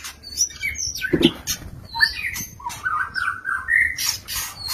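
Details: Captive male white-rumped shama courting a female in a compact stacked breeding cage: short whistled notes and slurred phrases, ending in a run of fluttering mid-pitched notes, broken by sharp clicks and rattling knocks.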